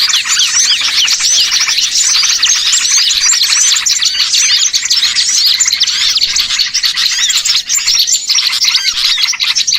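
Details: Crowded small-bird chorus meant to draw birds in for catching; dense looping chirps and quick tweets overlap constantly at high pitch.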